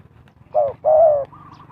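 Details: Decoy spotted dove calling wild birds during trapping: one short hollow coo, then a longer, steady, mellow coo, over a soft low rumble and a faint higher bird note afterwards.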